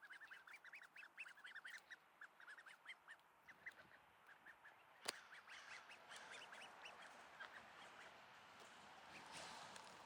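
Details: In Sainte-Adèle, Quebec, a duckling practises quacking on a mild, partly cloudy August morning. It gives a rapid run of short, high, squeaky peeps and rough quacks, then a sharp knock and a broad rustling noise.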